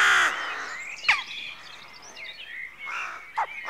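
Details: At a dawn rookery, one loud, rasping rook caw opens, followed by quieter, overlapping croaks and short calls from several birds, with a brief sharp knock partway through.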